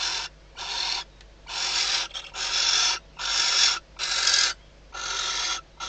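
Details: Female barn owl calling from inside a nest box at night in the Ebro Delta, just before the first chick hatches. She is answering the male at the outside perch before mating. Eight longer, grating hisses come in uneven succession, some overlapping.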